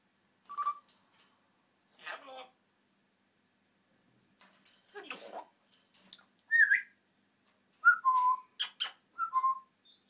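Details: Pet African grey parrot indoors mixing mumbled speech-like syllables with sharp whistled notes, a rising whistle near the middle, then a closing run of clear whistles that slide downward, spaced irregularly in a quiet room.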